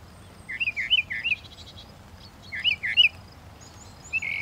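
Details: Northern mockingbird repeating a warbled, rolling whistled note in groups of three, with a gap of over a second between groups and a new slurred phrase at the end.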